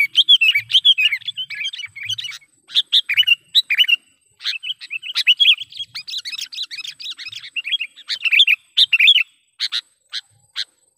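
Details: Sooty-headed bulbul lure call for catching wild birds: repeated bouts of busy, jumbled chirping separated by brief pauses, bright notes packed together, ending with a few spaced single calls.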